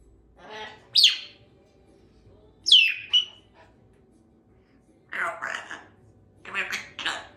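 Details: Female Congo African Grey parrot, a chatty pet bird kept at a country home, vocalising indoors with a Yellow-naped Amazon parrot in the household: two sharp whistled squawks sweeping downward, then several short, speech-like chattering bursts.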